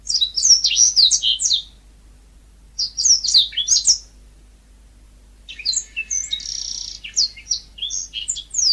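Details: Yellow-fronted canary singing in a natural, lively style: bursts of rapid, high twittering notes with quick up-and-down sweeps, broken by short pauses, then a longer jumbled phrase with a buzzy trill.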